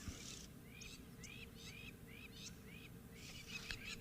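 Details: Crowned Lapwings on an open clearing during a sunrise safari drive on 13 May 2024 shout shrill, rising upslurred notes, two or three per second, over a low wind or engine rumble; they are unhappy about nearby resting lions and likely have a nest.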